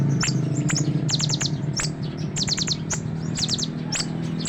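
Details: Sunbird song suited for teaching other songbirds: high, sharp chirps given singly and in fast descending runs of four or five notes, repeated through the clip, against a persistent low hum.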